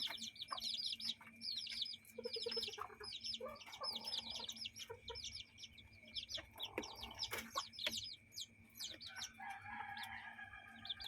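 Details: Hens with their chicks playing in a yard and chicken coop: dense, rapid high peeping from many chicks throughout, with lower soft clucks from adult hens mixed in and a steady background hum.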